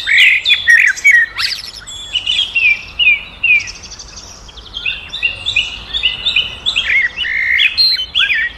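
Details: Black drongo vocalising: rapid, high, metallic chirps and slurred whistles, clustered in quick bursts, with some sharp downward sweeps early and faster stuttering notes toward the end.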